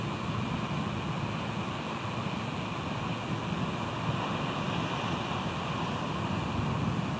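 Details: Steady roar of wind and surf with no animal voice, only broadband rushing noise throughout.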